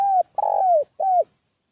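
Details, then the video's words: Decoy spotted dove calling to attract wild doves: three mellow coos in a short-long-short pattern, the middle one drawn out and falling, with clear pauses between them. "Suara Pikat Burung Tekukur"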